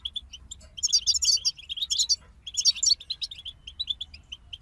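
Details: Group of European goldfinches singing: rapid tinkling twitters and short buzzy trills in high bursts, with quieter single chirps between phrases and a faint low hum underneath.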